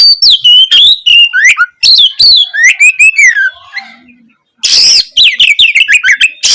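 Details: Loud singing Oriental magpie-robin, used to make a sluggish, quiet bird start singing: quick series of downslurred whistles and warbles, a near-silent pause, then a harsh rasp leading into renewed rapid whistling.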